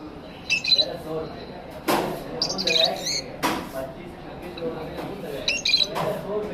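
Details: Pet lovebirds in an aviary chirping: short, scratchy, high twittering bursts in several clusters, mixed with loud knocks and rattling clatter from the cage.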